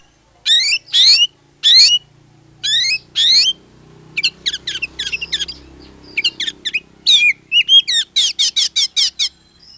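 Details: Oriental magpie-robin, kacer, in full lure song meant to make other magpie-robins sing along: bursts of harsh, buzzy, rasping notes alternating with rapid sharp chirps and descending whistles, loud and clean against a quiet background.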